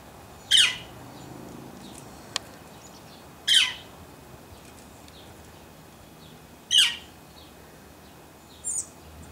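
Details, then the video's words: Male yellow-shafted northern flicker in an Edmonton, Alberta, Canada backyard gives four loud, harsh, slightly descending single calls, about three seconds apart, over a quiet background. "Northern Flicker bird calls"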